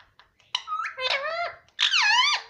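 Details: Talking parrot said to say mummy, heard indoors: two drawn-out, nasal, speech-like syllables with strong harmonics, the second sliding downward, separated by a short gap.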